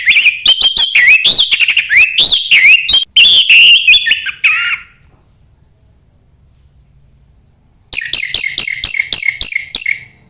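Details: Varied Orange-headed thrush song, 'embun pagi' style, played to coax another thrush into singing: rich rising and falling whistled phrases tumbling quickly for four seconds, a pause, then a renewed burst of rapid bright notes.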